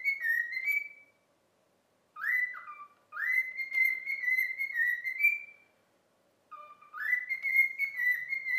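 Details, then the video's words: Cockatiel whistling a learned children's tune, If You're Happy and You Know It, after a week of training: clear sustained whistled phrases with upward swoops and small wavers, separated by short silent gaps, in a quiet room. "COCKATIEL SINGING IF YOU ARE HAPPY AND YOU KNOW IT WHISTLE Cockatiel Sound"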